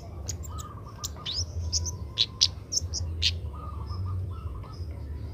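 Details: Young Oriental magpie-robin learning to sing: sharp high chirps and brief upward-flicking whistles scattered irregularly, with lower warbled notes in short runs, over a steady low rumbling background hum.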